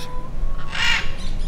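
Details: A wild Military Macaw in a canyon in Mexico, where as many as 44 macaws once flew around the observers, gives one brief, harsh, grating squawk over a steady low rumble, with music playing faintly underneath.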